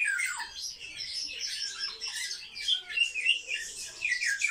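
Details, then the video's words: Several kept sparrows trade fast, uneven chirps, some notes sliding downward, in a constant high twittering chorus pulsing at roughly three or four calls per second. "Воробьи - Sparrow"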